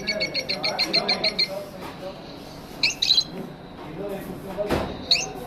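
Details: A caged lovebird gives a fast run of about ten rapid, evenly spaced chirps, then scattered single squeaky notes over a low background murmur.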